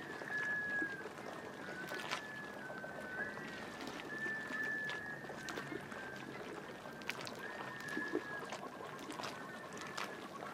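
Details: Migrating Black Scoters courting in spring, mid-April 2014, near Shediac, New Brunswick. Long, plaintive whistles overlap, some slightly falling or wavering at the ends. A flock chorus is heard over splashy water and light static.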